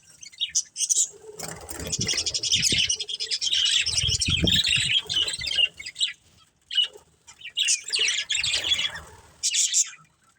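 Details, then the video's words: A family of colourful pet budgies; a long run of high busy warbling chatter, then quieter gaps with isolated chirps and later another chattering burst, with low thumps beneath. "Cute Colourful Budgies Chirping Sounds"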